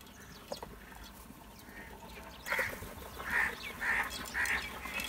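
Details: Crows making loud calls: after a quiet start, four short raspy caws come at even spacing, about half a second apart, over a low background hiss.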